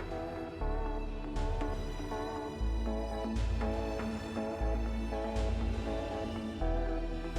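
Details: Gentle instrumental music with sustained tones and a pulsing deep bass every couple of seconds, without any bird or other animal sound.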